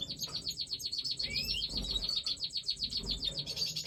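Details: Major goldfinch, a large European goldfinch form, in breeding time: quieter rapid twittering with regular pulsing chirps and a short upward whistled slur, over a low background hum.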